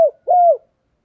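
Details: Single soft, drawn-out coo from a decoy spotted dove used to lure wild doves, slightly falling at the end and preceded by a brief click.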